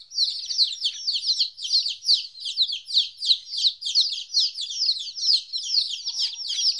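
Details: Fourteen-day-old chicks away from their mother for the first time chirp nonstop, many high descending peeps tumbling over one another about three per second per bird, forming a steady shrill chorus.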